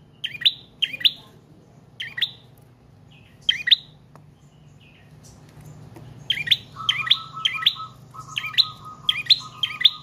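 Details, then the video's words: Prinia of the type called trotol or paot, singing long and continuously, used as a lure and to train other cage birds: sharp two-note chirped phrases repeated in bursts, joined later by a flat buzzy tone in short pulses. "Prenjak Trotol/Paot Gacor Panjang"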